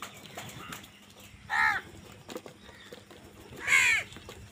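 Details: Two separate harsh caws from crows contesting food, heard over a steady background hiss and faint rustling.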